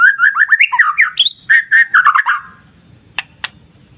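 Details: White-rumped shama song set against clear-river nature sound: a fast run of varied whistled notes with warbling slurs and a sharp high flourish, followed by quiet, two clicks and a steady high hiss-tone.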